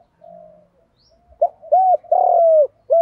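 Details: Spotted dove of the field-voice style, played to lure wild doves home, giving low hollow coos: a soft drawn note, then three louder rounded coos in quick succession, the last long and steady.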